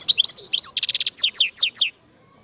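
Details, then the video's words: Goldfinch song from Algeria, loud and close: quick tinkling notes, then a fast buzzy trill, ending with four clear descending slurred notes spaced evenly, followed by silence. "اجمل صوت حسون في الجزائر"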